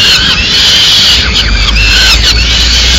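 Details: Nestling peregrine falcons in Madrid, Spain, clamouring as the female arrives with small bird prey at mid-morning; dense, raspy high-pitched screeching without pause, a few downward-sweeping notes.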